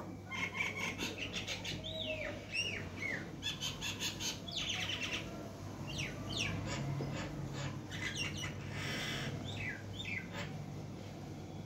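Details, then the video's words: Myna perched on a window, chattering: a busy run of sharp clicks, short chirps and slurred whistles, some rising and some falling, packed closely together with a steady low hum underneath. "Mynah Bird Talking on My Window"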